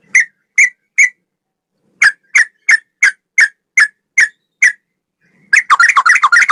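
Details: Master recording of a sooty-headed bulbul with cucak rowo style song: single bright whistled notes spaced about every third of a second, a short gap, then a dense tumbling burst of rapid jumbled notes.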